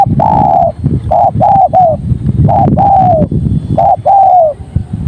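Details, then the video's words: Spotted dove song: a run of mellow, hollow coos, some short and some drawn out and gently falling, grouped in uneven phrases over about five seconds, with a steady low rumble behind. "Suara Tekukur Padu Enak Didengar"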